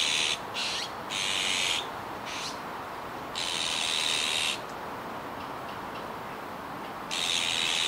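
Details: Juvenile azure-winged magpie, Kiba Park, 17 July 2019, producing a run of hoarse, hissy calls, some short and clipped, others stretched past a second, with uneven gaps between them.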